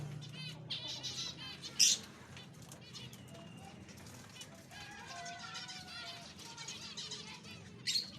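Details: Bathing zebra finches with nasal chattering calls at the start and end, sharp splashing and wing-flutter bursts near two and eight seconds, and a few thin tonal whistles from another bird in between.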